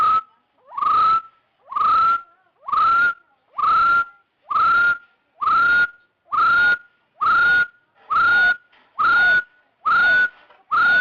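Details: A Rufous-throated Partridge used as a trapping lure gives clear whistled notes that slide upward and then hold, repeating steadily about once a second, with no other sounds.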